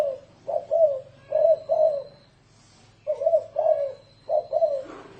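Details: Spotted dove used as a decoy, giving thổ rền coos: groups of low hollow paired notes separated by pauses, over a faint low mechanical hum.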